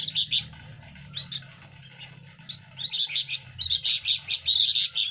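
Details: Sooty-headed bulbul chicks, local birds, competing for hand feeding as they are fed daily: bursts of high, rapid, scratchy chirping in repeated clusters, growing denser and louder toward the end, over a faint low hum.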